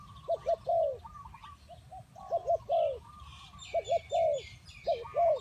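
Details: Spotted dove (tekukur) used to lure birds for trapping: mellow paired coos capped by a longer drawn note, repeated four times, with quieter answering doves and twittering birds.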